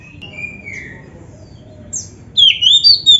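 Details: Oriental magpie-robin singing for training: a soft drawn-out whistle, a brief high note, then a loud warbling run of rising and falling whistles near the end.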